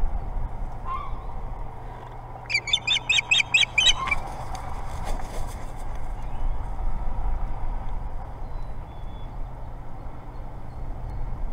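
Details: An osprey altercation at a much-wanted nest at the Boathouse, Hog Island, Maine. A quick burst of about eight bright, sharp chirps comes midway through. Loud wind or rumbling noise continues throughout.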